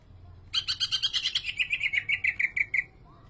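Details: A greater green leafbird sings a short, bright phrase. About a dozen sharp whistled notes come in quick succession and slide gradually downward in pitch, then end. The background is quiet.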